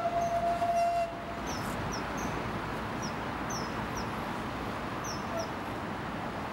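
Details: Common kingfisher male and female perched in willow branches on a riverbank, calling to each other: short, very high, thin whistled notes given in loose series over a steady rushing background, with a brief low tone early on.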